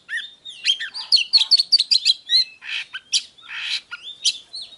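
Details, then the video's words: Caged Oriental magpie-robin singing in an agitated, provoked manner: a fast run of sharp varied chirps and short whistles, then harsher buzzy notes and a few rising whistled phrases, with brief pauses between. "Chòe than HÓT - DÉO Kích bổi Ức chế || Kich chòe than VỀ ĐÁ"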